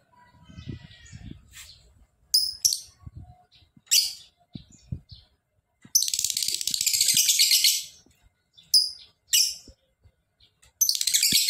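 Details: Lovebird in full, energetic song: sharp high squeaks, then a long rasping ngekek trill of about two seconds, more squeaks, and another chattering burst at the end; soft low knocks at the start.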